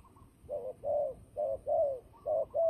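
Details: Fighting turtle dove kept for trapping calls a steady run of low, throaty coos, six notes in pairs about half a second apart, slightly falling in pitch, against a faint low hum.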